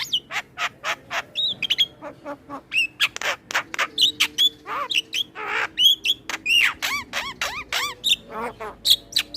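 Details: Male Asian pied starling in full varied song for training other starlings: dense run of harsh rasping bursts and clicks, broken by whistled upslurs and buzzy wavering phrases, uneven rhythm.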